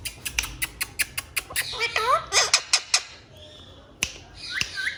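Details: Pet Indian ringneck parakeets, three kept indoors, one with a feather disease, talking: a run of sharp kissing-like clicks, then bent, speech-like harmonic syllables and a few bright squeaky notes, with quiet room noise.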